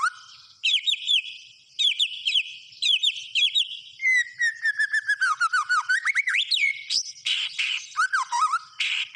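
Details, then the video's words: White-rumped shama in vigorous song: repeated high looping whistles in regular groups, then a long descending series of rapid notes, a sharp rising whistle and harsh buzzy bursts at the end. "SUARA BURUNG MURAI BATU GACOR"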